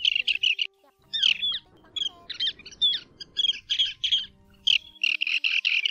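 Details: Lesser sand plover (Charadrius mongolus) call, used as a lure for night net trapping in August 2024. High, hard trilled chirps come in quick clusters and short rattles with brief pauses between bursts, over a faint low hum.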